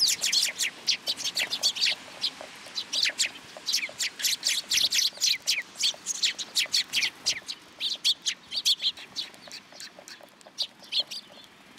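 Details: A flock of sparrows gathering to be fed at a Tenmangu shrine on 10 July 2022: an unbroken stream of sharp, high chirps, several per second, from many birds at once.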